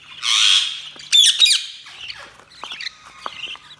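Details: Budgerigars chirping: a harsh, buzzy squawk lasting half a second, then a quick burst of sharp, high chirps and softer scattered warbling notes toward the end.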